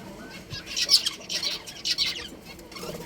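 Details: Budgerigars from a breeding pair kept at home, chattering in a dense run of rasping chirps that fades toward the end, with low background noise.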